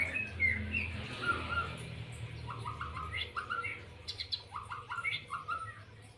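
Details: White-rumped shama singing freely: varied short whistled phrases and quick rising-falling notes, some repeated in brief series, over low background hum.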